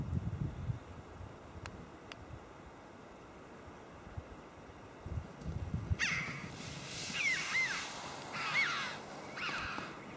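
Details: Red-billed choughs at a car park by the Lizard Lighthouse on the evening of 22 March 2012 give four or five harsh, ringing 'chee-ow' calls as they fly off, after low wind and surf rumble.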